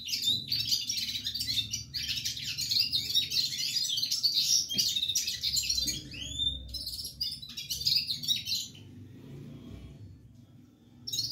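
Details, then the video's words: Red-fronted serin singing non-stop: a dense, fast, high-pitched twittering warble of jumbled chirps and trills for about nine seconds, with a pause and a brief restart at the end, over low background hum. "gulsar non stop singing Red head pulisas serin"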